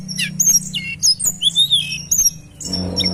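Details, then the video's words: Sunda robin sound used as a lure, loud high slurred whistles rising and falling in quick phrases, ending with a steady thin high tone over low background hum. "Tembakan Rapat Burung Tledekan Gunung Gacor dor"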